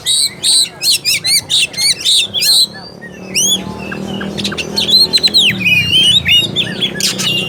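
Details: Oriental magpie-robin lure song, used to provoke lazy or unaggressive birds into singing and fighting: a run of evenly spaced, harsh, buzzy notes gives way to varied sweeping whistles and chattering phrases, with a faint low hum beneath.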